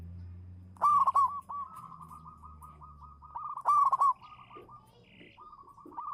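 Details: Zebra dove, local champion lure bird, in song (manggung): two loud throaty stuttered bursts about three seconds apart, joined by a long run of softer rolling coo notes. A low hum is present early on.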